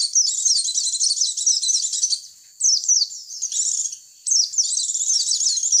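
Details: Lure recording of a white-eye for drawing in other white-eyes, a rapid, high-pitched twittering chatter in three bursts separated by short gaps, with sharp chirps between the dense trills.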